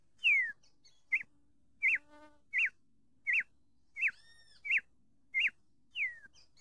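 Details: Sayaca tanager singing: a steady series of clear, whistled notes, most sharply rising then falling, a few long downslurs, given about once every second, with a faint low hum and a brief harmonic tone between phrases.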